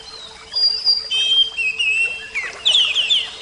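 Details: Oriental magpie-robin, Javan kacer type, in full song: sustained clear whistles at varied pitches, then a fast run of rising and falling twittering notes, loud and varied.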